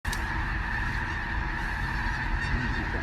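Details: A dense, continuous chorus of rolling, trumpeting Sandhill crane calls from a large flock lifting off near a bridge south of Gibbon, Kearney, Nebraska, on March 2, 2018, over a low rumble of wind and wingbeats.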